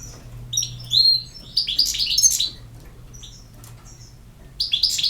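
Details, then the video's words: European goldfinch singing in quick bursts of tinkling, high twittering notes, with a pause mid-phrase and a low steady hum in the background. "El Jilguero"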